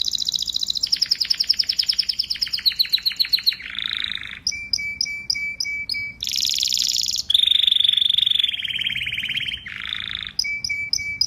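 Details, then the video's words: Canary song of shifting tours: fast pulsed high trills that step downward, a lower rolling phrase, runs of crisp repeated chips, and a dense bright whistled trill, all strong and clean with no other sounds. "Beautiful Canary Bird Singing"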